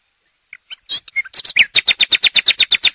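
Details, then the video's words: Common nightingale song opening with a few scattered soft notes that speed into a loud, even run of sharp high notes repeated several times a second. "o canto ave Rouxinol"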